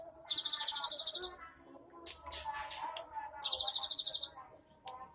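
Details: Cinereous tit with an elaborate 'isian mewah' repertoire, 3 April 2023, delivering two fast, rattling high trills about a second long with a quieter mix of faint chirps and low hum between them.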